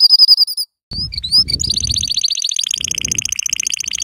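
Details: Yellow canary singing to tutor young canaries: a few clear high whistled notes and upward slides, then a long, even, rapid trill with faint background rumble.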